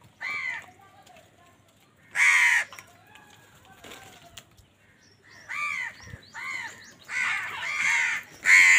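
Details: Loud crow calls during a fight over food: scattered harsh caws, then a quick series of hoarse, rasping calls near the end, with faint background noise.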